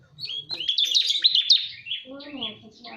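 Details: Bar-winged prinia lure call: a fast stream of high, sharp chirps merging into a twittering trill, followed by softer lower warbling notes from another bird.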